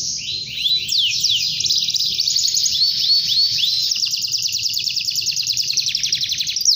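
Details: Canary in long continuous song, answering or calling a rival: sweeping down-slurred notes giving way to a long, fast, even trill and buzzy chatter without pause.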